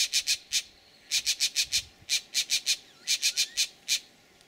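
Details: Green jays giving their "snake alarm" at a bullsnake, Laguna Atascosa National Wildlife Refuge, Los Fresnos, Texas, 12 April 2017: harsh, rasping notes in quick bursts of four or five, about twenty notes over four seconds.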